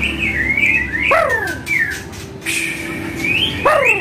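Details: Song of a white-rumped shama, played to coax kept birds into singing back: loud drawn-out whistles, some sweeping steeply downward in layered strokes, separated by short pauses.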